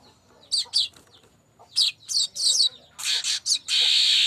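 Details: Streaked weaver, used as a lure bird, producing high scratchy chirps that run into a sustained buzzy rattle at the close.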